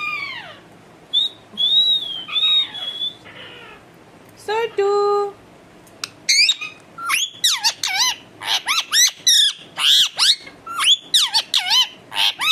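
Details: Pet talking parrot in a varied burst: sliding whistles, a steady nasal tonal note, then a rapid run of sharp, squeaky upswept calls and chatter.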